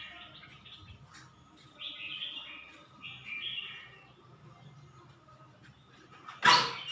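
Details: Suan Phueng, Ratchaburi red-whiskered bulbul giving two clear, bubbly warbled phrases after a quiet start. A loud broadband thump or rustle breaks in near the end.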